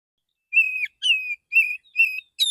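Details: Relaxed morning song of a male Oriental magpie-robin, used to call others of its kind: five whistled notes in even succession, each a steady mid-high tone about half a second apart, the last brighter and higher.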